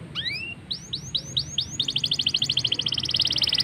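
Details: Energetic black-throated canary song meant to prompt canaries to sing: two rising whistles, a row of evenly spaced upward-curving notes, then a rapid pulsing high trill that grows steadily louder.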